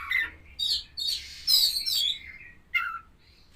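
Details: Pairing session of white-rumped shama with a champion bird: varied song of whistled notes and harsh, high, crackling bursts, ending with a short lower whistle and a faint thin note.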